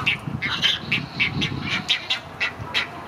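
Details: Great egret chicks begging while a parent feeds them at Gatorland, April 15, 2021: harsh, squawking calls repeated several times a second in uneven bursts, with low background rumble.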